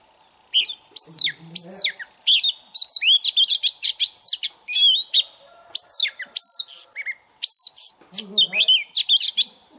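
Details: Oriental magpie-robin youngster practising its song each morning: a long continuous stream of loud whistles, slurred rising and falling notes and quick trills, with faint low murmurs underneath in two spots.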